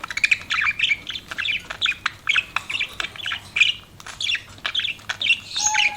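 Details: Softer chatter from pet budgies: a spaced series of short, sharp chirps and little raspy warbles, roughly two or three per second, ending with a brief clear whistle.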